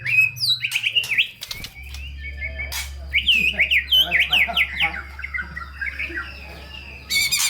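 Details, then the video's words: Full, varied song of a White-rumped shama, used as a lure to stimulate lazy, low-spirited shamas to sing: rapid slurred whistles and chattering phrases around two to four kilohertz, with a steady low hum underneath. "Murai Batu GACOR Full ISIAN‼️ COCOK untuk Pancingan Murai Malas Bunyi dan Kurang Emosi"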